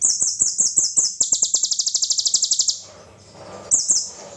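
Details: Kolibri ninja sunbird singing as lively training song material: very high, rapid buzzy trills of repeated notes running about two seconds, then a pause and a brief high phrase.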